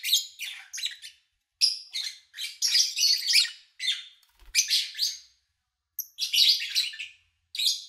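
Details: Lovebirds at an owner's home, recorded over three days in August 2019: busy, high-pitched scratchy chatter in uneven bursts separated by brief silences, with one faint low thump.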